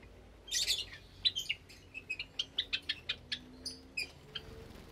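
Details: Caged Java sparrows with newly hatched chicks, recorded on a Sunday morning in May 2022: a burst of sharp high chirps, then a steady run of short clipped chip notes about four per second, fading toward the end.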